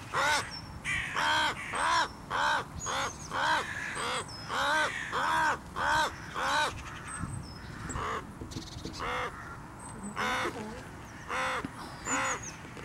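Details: Crow fighting off a goshawk, struggling and defending itself: loud harsh caws repeated roughly twice a second in bursts, with a faint thin whistle and background noise.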